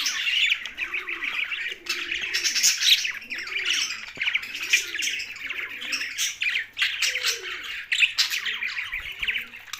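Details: Lively chirping from young budgies, scratchy high chatter with bursts of squawks, over a background of regularly repeated low cooing and a faint steady hum.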